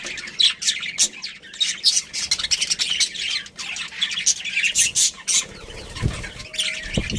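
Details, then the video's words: Budgerigar breeding pair chattering in high squawky chirps, fast and continuous, with a few low knocks near the end. "Cute Budgies Chirping Sounds"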